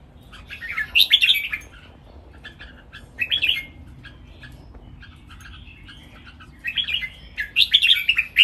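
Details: Three caged red-whiskered bulbuls sing a lively training master song: three separate bursts of rich chirping, warbled phrases, with soft scattered clicks and chips filling the pauses between them.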